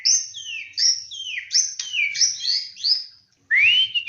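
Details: White-rumped shama (murai batu) lure song: rich, varied whistled phrases in quick succession, many sliding downward, closing with a strong rising whistle.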